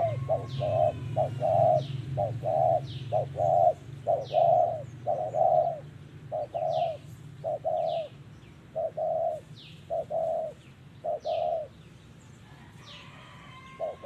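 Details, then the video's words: Spotted dove cooing during bird trapping with a decoy in Vietnam, 2023: low mellow hoots in clustered phrases of short and longer notes, about one a second, over a steady low hum, with faint high chirps from other birds. "Bẫy Chim Cu Gáy Đất Hay | Gáy Giọng Thổ Cực Hay"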